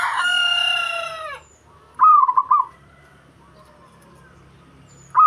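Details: Local zebra dove song used to provoke rivals: a rooster's crow opens, then one rolling, stuttered coo phrase follows and a second phrase begins at the very end.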